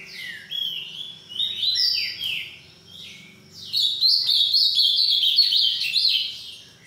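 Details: Green-winged saltator singing the boiadeiro style, bred in captivity; several sliding whistled notes falling in pitch, a short gap, then a sustained fast string of high chirping notes.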